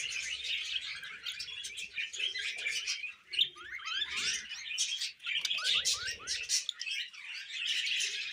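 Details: Pet budgies warbling in a busy stream of chirps, rapid rising and falling squeaky notes and buzzy twitters, with brief dips in loudness around three and five seconds.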